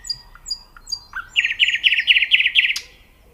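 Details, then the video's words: A common nightingale sings a few thin, high notes, then a fast, rich rattling trill of repeated phrases ending in a sharp flourish. "The nightingale singing"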